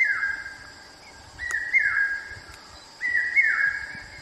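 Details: Common Hawk-Cuckoo (Hierococcyx varius) in Central India giving its "brain fever" call: shrill, drawn-out whistled notes, each about a second long and slightly rising, repeated every second or so over a faint high insect hum.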